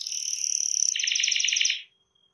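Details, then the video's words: Gacor canary singing, used to set other canaries singing: a steady high whistled tone, then a fast buzzy trill of repeated notes for about a second before it stops abruptly. "KENARI MANA YANG GAK BUNYI SETELAH DENGAR KENARI GACOR INI"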